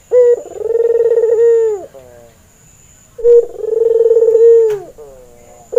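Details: Albino white Barbary dove with red eyes, a male in breeding condition, kept as a training lure: two long, low, rolling coos, each about one and a half seconds, swelling then falling away, separated by a quiet pause.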